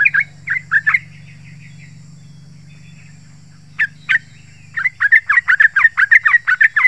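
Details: Yellow-vented bulbul lure song for drawing out and stimulating other bulbuls: short sharp bubbly notes, a few at first, then after a pause a dense run of rapid chirps, over a steady low humming drone.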